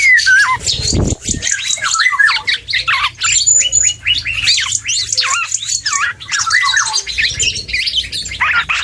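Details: Young black-and-yellow oriole practising song with a lively run of looping whistled slurs, squeaks and chatter, almost without break, a low thud near the start.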